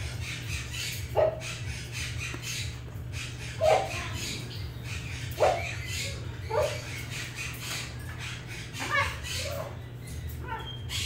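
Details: A captive Lesser Sulphur-crested Cockatoo (Cacatua sulphurea), a parrot awaiting rehoming, gives short, harsh squawks every second or two over a steady low hum.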